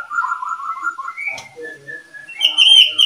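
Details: Oriental magpie-robin from a breeding pair giving a long wavering mid-pitched warble, a brief upward slur, then a brighter, higher whistled phrase to close.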